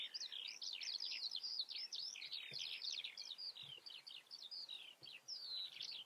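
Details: Common redstart in the Eifel, Germany, delivering a continuous stream of high, twittering, scratchy notes in quick succession, dense and jumbled, with a few soft low knocks underneath.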